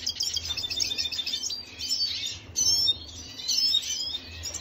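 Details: Venezuelan red siskin song recorded on 25 June 2022: rapid, high-pitched chattering phrases with sharp whistled notes, broken by two brief gaps before the twittering resumes.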